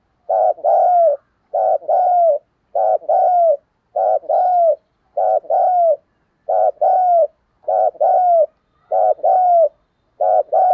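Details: Decoy spotted dove cooing to attract wild doves, a steady run of low hollow double coos repeated about every second and a quarter, the second note of each pair longer and slightly falling.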